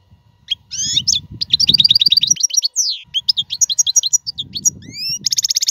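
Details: European goldfinch singing as a tutor for caged young birds: rapid runs of twittering notes, a few rising whistled slurs, and a final buzzy rattle, over a soft low hum.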